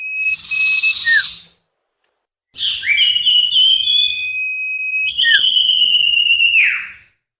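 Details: Common iora lure for attracting wild birds, loud and harsh: long high whistles with a sharp drop at the end, overlaid by buzzy, broad, distorted tones and a faint low rumble.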